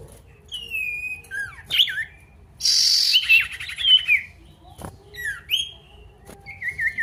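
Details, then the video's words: Rival-calling song of a male pied bush chat, meant to spur silent birds into singing; drawn-out whistles and downslurs, a long harsh buzzing stretch mid-phrase, then scattered thin whistled notes. "PANCINGAN SIRTU GACOR MANGGIL LAWAN"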